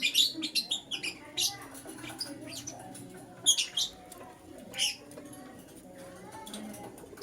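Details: Lutino lovebird in the morning, chirping busily: rapid shrill, scratchy notes in bursts, several per second at times, then brief pauses, with low background hum.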